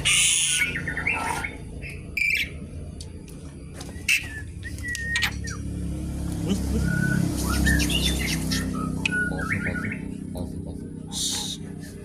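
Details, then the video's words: Asian pied starling singing, used as lure and song material for other birds: loud noisy bursts at first, then sparse whistles and chattering notes under a swelling low traffic-like rumble. "jalak suren gacor pancingan tembakan penambah materi isian burung"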